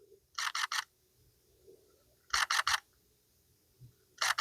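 Camera shutter clicks in quick bursts of two or three during a day of photography at Chambers Lake, with a quiet background and a few faint handling scrapes between bursts.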